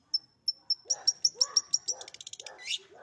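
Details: Kept long-tailed shrike in lively song: a few thin, high pure whistles repeated, speeding into a rapid chattering series with lower slurred notes underneath, ending in a harsh burst.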